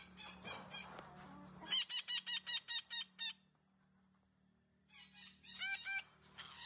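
A green parrot gives a quick run of about seven harsh, nasal squawks, pauses, then a second shorter burst of strident, ringing notes.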